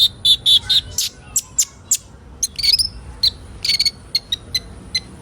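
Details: Sunbird flock recording (kolibri ninja), meant to prompt young birds into fast singing. It opens with a few louder, buzzier squeaky notes, then scattered bright high chirps in short irregular bursts.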